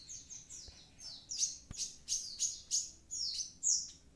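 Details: Active song of a Javan pied starling: a run of about a dozen loud, high, down-slurred whistles. They come roughly every third of a second and build in strength, with a faint click and low background hum.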